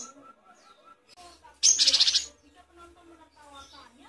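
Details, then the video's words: Great tit tutor recording for songbirds: a loud harsh churr of rapid pulses rises above softer low background notes and a steady low hum. "Suara burung gelatik batu"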